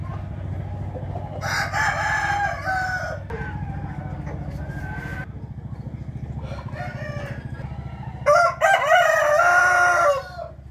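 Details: Rooster crowing in the morning, 8 April 2021: two loud, harsh, drawn-out crows about six seconds apart, with fainter crowing between them and a pulsing low hum throughout.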